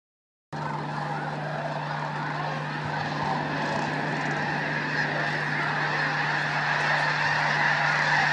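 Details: Snow geese in a mass morning take-off at Bosque del Apache: a dense, continuous wall of overlapping nasal honks and yelps from a huge flock, building steadily louder after a short silent start.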